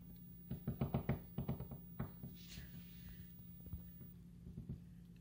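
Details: Woodpecker tapping on the wood siding of a house where woodpeckers live, heard from indoors. A quick run of about six dull knocks, then scattered single taps, over a low steady hum.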